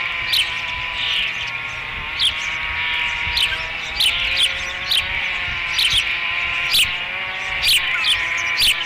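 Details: At a nest on Dunrovin Ranch, an osprey calls during the third feeding of 30 May 2016. Short, high, descending chirps come roughly every two seconds against a constant tonal hum.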